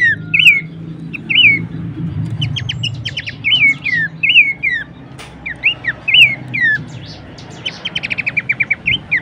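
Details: Horsfield's babbler, a training recording for songbirds: a steady sequence of curling whistled notes about one per second, broken by quick stuttering note bursts, ending in a rapid series; soft low hum behind.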